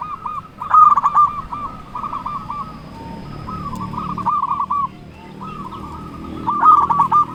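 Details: Zebra dove (perkutut) in Indonesia, local bird singing to challenge rivals: runs of quick rolling coos, each burst a second or more long, repeated with short pauses, over a low rumbling background.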